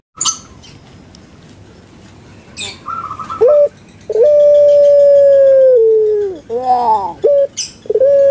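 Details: Puter pelung, a Barbary dove kept as a pet in Indonesia. A few seconds of quiet and faint clicks, then a long sustained hollow coo that slides down into a choppy gurgle before starting to rise again.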